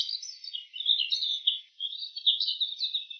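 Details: Bull-headed shrike performing borrowed calls of other birds: a dense, continuous warbling of high, slurred chirps and squeaks, shifting quickly between notes, with one brief dip midway.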